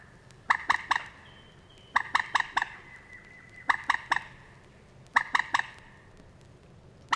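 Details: Field recording from 1979 of a Moorhen in the reed beds of Matsalu, USSR: bursts of three or four sharp, dry clicks, spaced over a second apart, with a faint thin whistle in the background.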